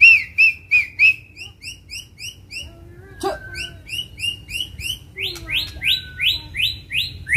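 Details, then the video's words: White-rumped shama, fighting and provoked into continuous singing: a steady series of short rising chirps repeated about three times a second, broken midway by a sharp crack and slurred notes. "MURAI BATU TARUNG || PANCINGAN MURAI BATU EMOSI IKUT GACOR DAN FIGHTER"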